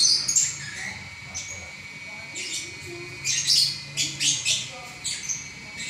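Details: Champion lovebird singing non-stop in long chattering bursts: harsh, high buzzy chirps and squeaky notes in uneven clusters, with short quiet gaps and a steady faint hum underneath.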